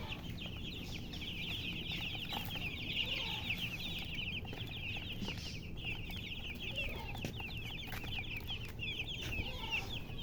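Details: A brood of chicken chicks with their hen chirps almost without pause in shrill, high peeps. Occasional low clucks and a steady hum sit in the background.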